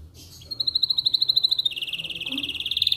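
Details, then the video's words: Atlantic canary singing in the morning, used to prompt other canaries to sing: a fast, even trill of bright high notes that steps down to a slightly lower, equally rapid trill partway through. "Buat Kenari Lain Cepat Bunyi II Pancingan Kenari di Pagi Hari"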